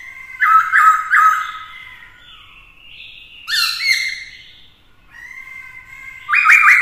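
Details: Black-throated laughingthrush in a cage, male singing competitively beside a female: loud trilled whistles, quieter sustained tones, a harsh rising burst near the middle, and another strong trilled phrase at the close.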